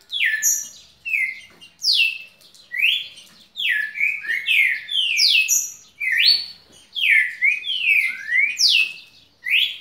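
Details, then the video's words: Red-cowled cardinal kept as a pet, singing continuously: loud, clear whistled notes, each sweeping sharply up or down, delivered in quick pairs and triplets roughly every second with brief pauses. "Meu galo-de-campina Aladin cantando um minuto e 23 sem parar"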